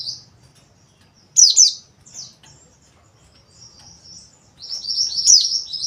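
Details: Captive white-eye giving short high chirped phrases and a thin buzzy twittering trill, with quiet gaps between bursts.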